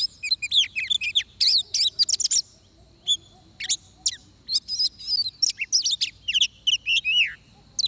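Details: Oriental magpie-robin at a trapping site giving loud whistled song phrases in irregular bursts, with sharp upslurred notes, brief gaps and a soft low hum underneath.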